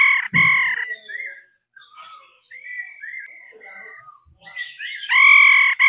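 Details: A female laughingthrush sings to stimulate a male. Loud, harsh, rich bursts open and close the passage. Between them run varied whistled phrases, with short slurred notes rising and falling in quick succession.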